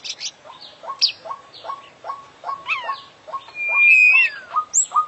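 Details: Kacer (oriental magpie-robin), a constantly singing international champion whose song is full of imitations: evenly spaced mid-pitched chips in a row, then a long, clear whistle that slides downward, then short high notes.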